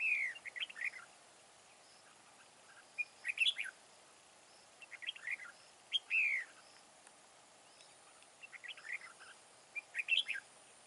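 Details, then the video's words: Red-whiskered bulbul, a wild-caught decoy described as big-bodied with a loud wild voice, repeats jaunty phrases of quick up-and-down whistles about every three seconds, some ending in a falling slur. "Bẫy đấu chào mào BỘ TO HẦU TO GIỌNG RỪNG BAO HAY"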